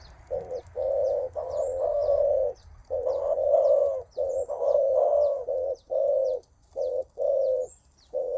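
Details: Menguku coos from a spotted dove meeting a rival, mostly a male sound before a trial of strength: steady string of low rough coos, long and short, about one per second, light high chirps overhead.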